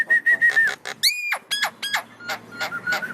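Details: Asian pied starling bobbing its head while singing: a fast run of varied whistles, buzzy chattering notes and sweeping rising slurs, with a steady low hum underneath.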